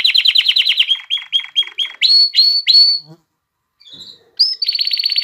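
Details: Excited male canary singing to ready females for breeding, a fast high trill sliding into a series of repeated short rising notes and longer whistled phrases, a short pause, then another rapid high trill.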